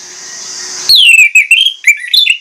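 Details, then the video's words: Orange-headed thrush breaking out of steady hiss with a clear, falling whistle, then a lively string of rising and falling slurred notes and quick chirps. "PANCINGAN ANIS MERAH PLONG NGOTOT BONGKAR ISIAN"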